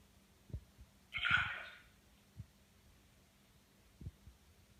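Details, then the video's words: A Congo African grey parrot kept as a pet gives one short, harsh, bark-like burst copying a dog, amid soft low thumps and a faint indoor hum; the bird also burps and talks. "African Grey Parrot barking like a dog"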